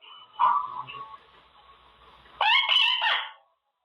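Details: Male Quaker parrot in his cage practising words: a short nasal squawk, a pause of low murmur, then a loud burst of clipped, raspy chattering notes.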